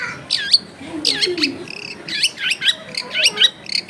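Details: Energetic long-tailed shrike song packed with imitated phrases, played to trigger other shrikes into singing: quick looping chirps and bright descending notes tumbling in rapid succession over a faint background hiss.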